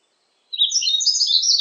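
Yellow-throated Bunting giving a quick, high, twittering song phrase of thin jumbled notes, lasting about a second after a brief silence.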